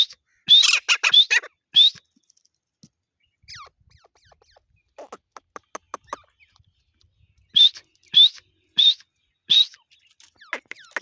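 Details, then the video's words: Grey francolin (teetar) giving loud, high, ringing call notes. A burst of four comes in quick succession, then softer clicks follow, then another run of four evenly spaced loud notes. "teetar ki awaz | teetar sounds"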